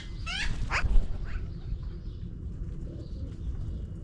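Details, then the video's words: Magpies in a tree, flying down from it: a brief burst of harsh, grating notes early on, then mostly wind rumble with faint distant sounds. "Magpies In Tree"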